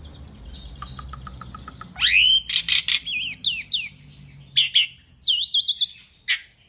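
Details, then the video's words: Training recording of an Asian pied starling: soft ticking notes, then a sudden rising whistle opening a loud stretch of harsh bursts, quick looping whistles and a wavering trill. "kicau jalak suren masteran gacor"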